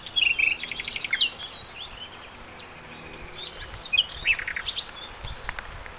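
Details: Verditer flycatcher, called sikatan londo, singing as a tutor for songbirds: two bursts of jumbled high chirps and short trills about four seconds apart, over soft background noise.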